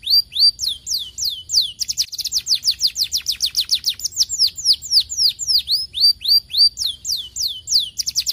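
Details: Lure song of a young canary meant to make other canaries reply at once: looping high whistles, then a quick rattling trill near the two-second mark, followed by a varied string of downslurred notes.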